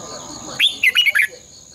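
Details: Morning competition song of a red-whiskered bulbul, a long twisted double-voice style played to stimulate caged birds: one crisp burst of four quick fluty notes dipping and rising, over a constant shrill background tone.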